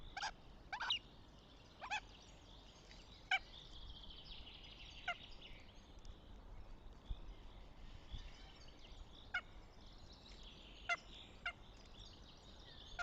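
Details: At a nest near Tartu, Estonia, 6 May 2025, a Northern goshawk gives a series of brief harsh notes at uneven intervals, some paired, about ten in total, with continuous songbird singing behind.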